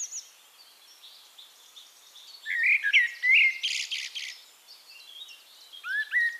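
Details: Eurasian blackbird song recorded at Castricum, Netherlands, softer and farther off: quiet thin notes, then a fluty warbled phrase ending in a harsh high scratchy burst, followed by a pause and a final slurred whistle.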